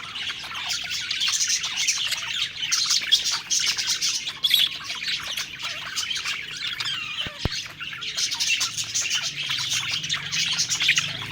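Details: Budgerigars singing while eating; thick, constant warbling and chirping from a group, with scattered harsher squawks and one sharp click partway through.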